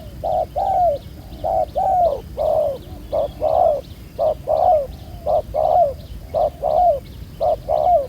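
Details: Black-necked, field-caught spotted dove calling at a ground trap, a steady series of warm low coos, brief note then longer descending note, about once per second, soft high ticking underneath.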